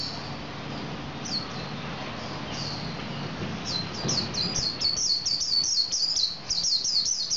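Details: Lively male Javan white-eye song: a few scattered high chirps at first, then from about four seconds a fast, continuous chattering run of sharp, high notes repeated roughly twice a second, over low hum.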